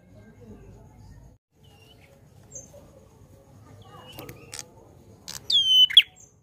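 A prinia gives a short burst of sharp, high whistled notes sweeping downward near the end, after several seconds of near quiet with faint chirps.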